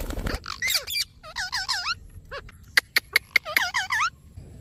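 Alexandrine parakeet making odd, varied sounds: quick runs of wavering nasal notes, downslurred squeaks and a burst of sharp clicks, with a quiet background.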